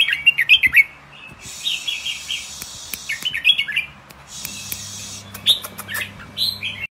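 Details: Several short bouts of bright, rapid chirping and warbling from caged young albino red-whiskered bulbuls bought to pair for breeding, broken by two long bursts of hissing noise and some clicks.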